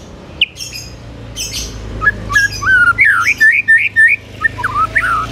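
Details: Spirited white-rumped shama song meant to trigger other shamas to answer angrily: a few harsh bursts, then a quick sequence of bright whistled, looping notes over a noisy, humming background.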